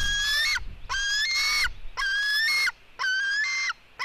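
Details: White-tailed eagle eaglets fighting at 16:09: a female eaglet with her brother. Four drawn-out squealing calls, each about half a second long, come roughly once a second. They hold a steady pitch and rise slightly at the end, with rich harmonics.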